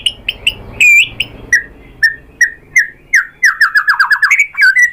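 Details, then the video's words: White-rumped shama song for provoking other shamas to answer: spaced, clear whistled notes, mostly falling, speed up into a rapid, tumbling run of descending slurs and end on a bright, rising flourish. "SUARA MURAI BATU bikin BUNYI jadi NYAUT GACOR"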